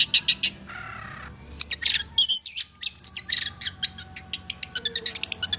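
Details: Long-tailed shrike (cendet) song used as a tutor recording for kept songbirds: rapid bursts of high, sharp chirps and trills, a brief lower buzzy note near the start, then dense repeated clicks speeding up toward the end.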